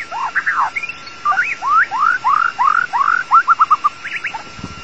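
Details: Lure song of the long-tailed white-rumped shama for trapping: a series of rising whistled notes repeated in quick succession, shortening into a fast rattle of clipped notes, with a brief thump at the end.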